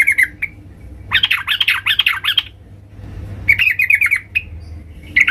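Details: Female sooty-headed bulbul calling to attract the male, with a rapid chattering jumble of harsh, tumbling notes followed by a quicker run of bright chirps.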